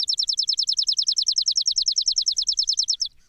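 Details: A Chipping Sparrow near an apple tree on a foggy day gives a dry, rapid trill of about 25 high chips on one pitch, running steadily for three seconds with no other sounds.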